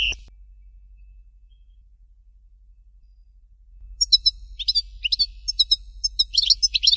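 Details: A European goldfinch in the Fort de l'Eau Dalya style gives one short high note, then falls silent for over three seconds. It then resumes with jerky bursts of high twittering notes and sharp rising chips.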